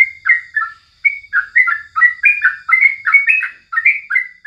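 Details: Yellow-vented bulbul in morning song for tutoring: dense, bubbly runs of chattering slurred notes, a short gap after the first second, then nearly unbroken warbling. A faint thin tone hangs behind.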